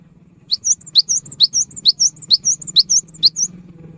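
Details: Cinereous tit in prolific song, used to prompt silent birds into singing: about nine sharp, high, rising whistled notes, each followed by thinner higher notes, repeated roughly every half second over a faint low hum.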